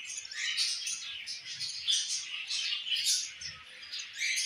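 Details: Pet budgerigars, a mother feeding her baby; dense continuous high chirping and warbling chatter from the budgies, overlapping, with no clear pauses.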